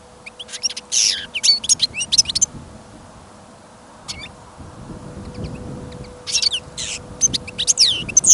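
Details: Caged European goldfinch kept on trial for listening, taken along on a trapping trip in sudden snow and wind, singing confidently: bursts of high, rapid twittering with buzzy rasping notes, broken by pauses, over a low steady hum and faint wind rumble.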